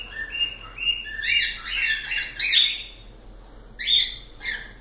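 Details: Cockatiels calling: a run of short whistled notes at an even pitch, then louder, harsher squawking bursts and scattered chirps at irregular intervals.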